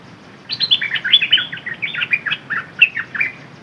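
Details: Red-whiskered bulbul kept as a decoy bird, singing a quick run of bright, liquid warbled notes that bounce up and down, about a dozen phrases packed into three seconds, with no other sounds.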